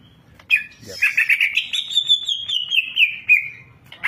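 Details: Greater green leafbird, a champion singer, pouring out a full fill-in song: one sharp note followed by a long, continuous, fast warble that climbs slightly and then settles.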